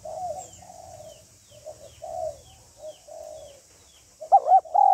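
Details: Female spotted dove calling to stimulate a male: a run of soft, muffled cooing notes, then a sudden loud pair of arched, ringing coos at the end.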